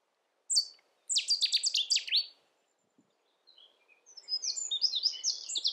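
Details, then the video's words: Cetti's warbler singing in the UK: two loud, abrupt bursts of rapid, sharp high notes separated by a brief silence, the second burst more varied and chattering. "Cetti's Warbler"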